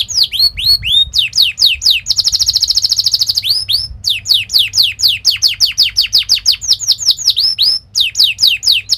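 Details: Canary training song meant to make young canaries sing: long runs of sharp down-slurred whistled notes repeated rapidly, broken by a fast buzzy trill, over a faint low hum.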